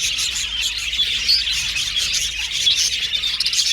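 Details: Crowded budgie aviary, with bright chirps and quick squeaky twitters overlapping into a constant high-pitched flock chatter.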